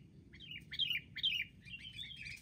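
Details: Sooty-headed bulbul, wild, attacking in a group during trapping: a quick run of bright, downward-slurred chirps, several in close succession, then a short warbling trill, with low background rumble.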